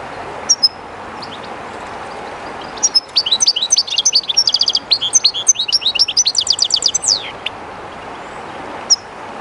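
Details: European goldfinch, slightly shy in an unfamiliar place, singing by the Jerte river: sparse high notes, then a long liquid twittering run with rapid even trills and a final dropping slur, set against a steady wash of flowing water.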